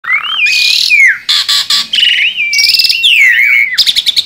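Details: Tame Asian pied starling singing loudly and continuously, with clear whistles gliding up and down, harsh buzzy bursts, and a run of rapid chattering notes near the end.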